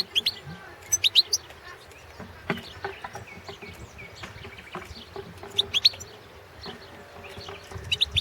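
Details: Competition entry of a Balkan goldfinch, Carduelis carduelis balcanica, for the 2017 World Championship in Goldfinch Song run by a Serbian association. Quick high liquid twittering phrases come in several short bursts, the clearest near the first and sixth seconds, against background hiss and thumps.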